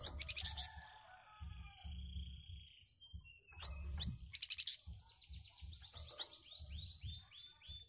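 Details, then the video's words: Sunda bush warbler (flamboyan) answering other birds' calls with its characteristic dense, rough song: bright chirping and twittering phrases, rapid high notes repeated in bursts, over a steady low rhythmic thumping. "BURUNG FLAMBOYAN RESPON SUARA BURUNG LAIN.LANGSUNG NYAUT DENGAN KICAUAN KHASNYA"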